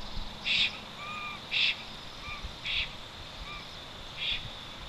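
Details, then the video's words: Black stork returning to its nest in the Notecka Forest, Poland, on 12 August 2022 after two days away: rough bursts about once a second, each followed by a soft paired whistle, one high and one lower. "Po dwóch dniach nieobecności do gniazda przyleciał Notek2 głośno śpiewając."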